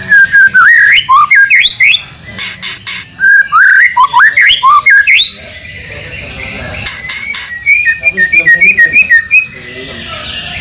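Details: White-rumped shama training track for caged birds, mixed with other birds' material such as canary and lovebird. Loud, varied whistled phrases sweep up and down, then a rapid series of short repeated chirps near the end, with a steady high hiss behind.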